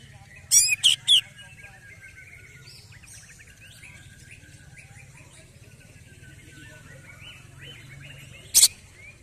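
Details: Caged greater green leafbird, agitated and singing hard after its first song contest, pours out a varied stream of high chirps, trills and whistled phrases, broken by a few sharp loud clicks near the start and end.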